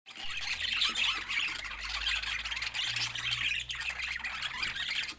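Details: Colourful pet budgerigars chattering in a dense, continuous stream of scratchy warbles and chirps. A steady low hum runs underneath throughout.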